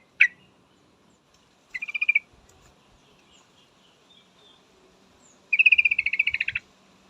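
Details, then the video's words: Female yellow-vented bulbul calling for a male, a sharp single note, a short stuttered trill, then a longer rapid chattering run of bright notes, with faint background hum. "suara trucukan betina full memanggil jantan pasti langsung pada nyaut"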